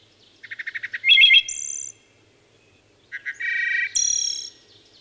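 A wood thrush sings two clear, flute-like phrases: quick low notes that rise into a bright, high ringing trill, with a pause between. The background is quiet.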